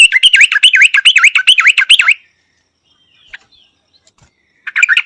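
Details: Sharp, ringing notes from a Yellow-vented bulbul, a steady bubbly run of rising and falling chirps lasting two seconds, a quiet pause, then the phrase starting again.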